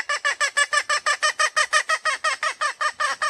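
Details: Female red junglefowl from Sumatra calling, a sound used to lure males closer or make them crow; a steady run of short, clipped, harmonic clucking notes, about three per second, in an evenly paced series.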